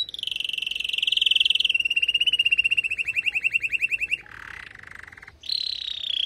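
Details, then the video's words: Female canary calling to get a male ready after moulting: a high buzzing trill turning into pulsed rolling notes, a lower harsh stretch, then a renewed high trill over faint hum. "نداء انثى الكناري لتجهيز وتحفيز ذكر الكناري بعد غيار الريش"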